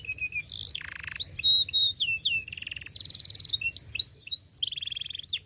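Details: Domestic canary singing, used as a tutor recording for young canaries learning to sing: varied high song of buzzy trills, rapid rolled notes and sweeping whistles, phrases changing every half second, faint low hum beneath.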